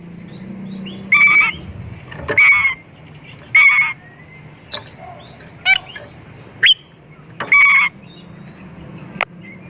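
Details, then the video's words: Oriental magpie-robin singing as a lure for other birds of its kind. Short sharp whistles with harsh scratchy bursts, repeated roughly once a second, over a constant low hum. "Kacer gacor full isian pancingan burung Kacer"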